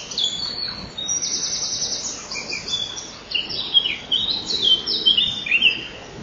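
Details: High, buzzy, trilling calls in long bands at a common kingfisher nest on 12 May 2013, just before 08:00, as male and female crowd the entrance tunnel while he tries to feed the young. The calls continue in irregular bursts.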